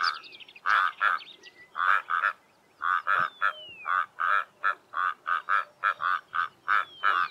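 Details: Pair of Karoo korhaans duetting in the early morning on an open plain in the southern Karoo: harsh, frog-like croaking notes in rapid irregular bursts, with thin sliding whistles of other birds in the background.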